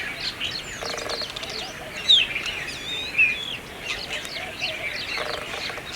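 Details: Brahminy starling (myna) in Aurangabad, India, giving a busy, chattering song of quick high squeaks, short slurred whistles and rasping notes, with other birds twittering in the background.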